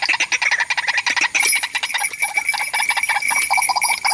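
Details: Harsh, croaking call series of a white-breasted waterhen facing a mirror trap as another waterhen comes to chase it off; rapid repeated notes with a thin, steady ringing tone beneath from about one and a half seconds onward.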